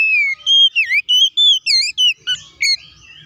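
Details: Oriental magpie-robin in clear, loud song: about ten whistled notes in quick succession, steady tones and dipping swoops, fading into softer twitters, played as a lure to provoke other magpie-robins into singing.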